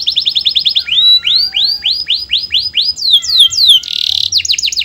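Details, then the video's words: Loud canary song of rich downslurred whistled notes repeated in series, some rising then falling, followed by a brief buzzy burst and a quick closing trill. "Suara burung kenari bernyanyi merdu"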